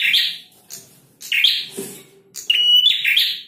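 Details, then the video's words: A male prinia sings loud, shrill bursts of sharp chirping notes, with a brief clear whistled note near the end and short pauses between phrases. "Prenjak Jantan Gacor"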